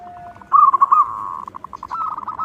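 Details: Zebra dove, a local bird in strong voice kept as a lure for other doves, gives a rolling, trilled coo that trails into a fast train of soft repeated pulses, ending on a steady higher note.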